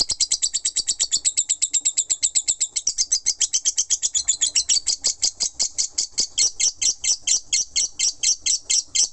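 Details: Lovebird ngekek, a sustained non-stop chatter of very fast, high, chirping notes that begin in a dense rattle, then loosen into a steady series of about two sharp squeaks per second.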